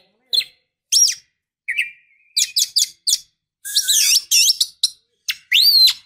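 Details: Oriental magpie-robin female calling to provoke a male into singing: short sharp chips and squeaks, a low buzzy trill, then a dense, scratchy, twittering passage ending in upswept whistles.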